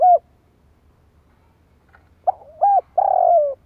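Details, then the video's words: Spotted dove lure calling to draw in wild doves (kích bổi). It opens with the end of a coo. After a long silence comes a soft slurred lead-in, an arched coo and a long, vibrating, slowly dropping final coo. "Tiếng chim cu gáy kích bổi nhanh nổi | Suara burung tekukur"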